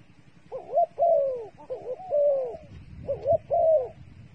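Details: Dove used as bait, giving a series of rising and falling coos, each a wavering phrase that swells then slurs downward, in groups of two with short pauses between.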